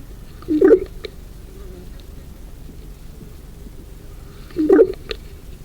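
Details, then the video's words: Two ravens calling: two short, deep, hollow calls about four seconds apart over a quiet background hiss. "Two Ravens making Beautiful Sounds"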